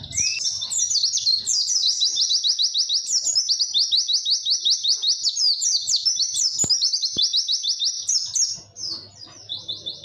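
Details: White-eye song of the "witwit" type, long and clear, for training young birds: fast high repeated notes strung into steady trills about a hundred per minute, with two sharp clicks and fading at the end.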